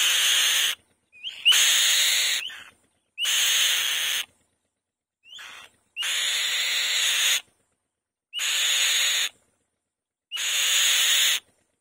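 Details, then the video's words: Female white-tailed kite on the nest giving loud, raspy, hissing screams. Each lasts about one second and opens with a brief rising whistle. Six bursts come roughly every two seconds, with silent gaps between them. "White-Tailed Kite | The Female Bird Makes a Loud Noise On The Nest"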